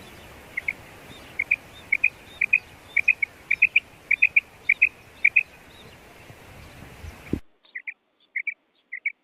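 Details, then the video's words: A female quail gives a run of crisp doubled chirps, pairs of high clipped notes repeated about twice a second, briefly broken by a cut, then a few more pairs against near silence. "Female Batair Sound / Mada Batair Ki awaz"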